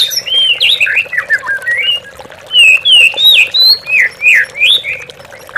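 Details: Lure song of an oriental magpie-robin for stimulating captive birds: a run of loud slurred whistles rising and falling, about three notes per second, rich and varied, with running water murmuring beneath.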